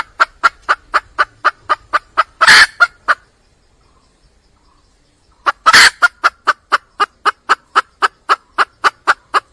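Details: Calling for a male, a wild junglefowl hen gives rapid clucks, about four a second, broken by a harsh squawk. Two seconds of silence follow, then another squawk and a renewed cluck series.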